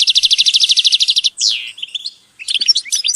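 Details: European goldfinch group calls: a rapid, even series of high buzzy notes for over a second, a sharp downward sweep, then scattered tinkling twitters and chirps.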